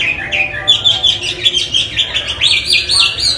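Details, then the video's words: Chinese hwamei, a cage bird, in energetic song: rapid sequence of bright whistled notes, some buzzy and repeated, ending with loud upslurred whistles. "Hwamey Wambi gacor isian istimewa"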